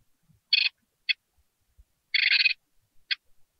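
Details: Hungry great tit chicks in a nest box begging for food: short rasping, hiss-like bursts, one longer churring burst in the middle and brief single ones around it, otherwise quiet.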